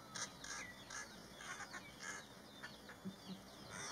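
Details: An injured grey treepie gives short, scratchy chirps and clicks in quick irregular bursts over a steady high electronic-sounding whine.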